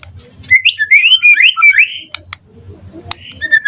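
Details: White-rumped shama singing in a morning lure recording meant to draw replies from other shamas: a quick run of bright whistled, sliding notes rising and falling, then sharp clicks and a thin whistle, with a low hum in the background.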